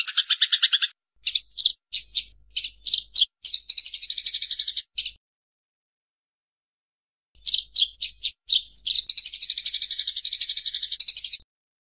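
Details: Eurasian tree sparrows in a fight: a rattling chatter, then a series of separate sharp chirps building into a long harsh rattle, a silent pause of about two seconds, then the sequence repeats.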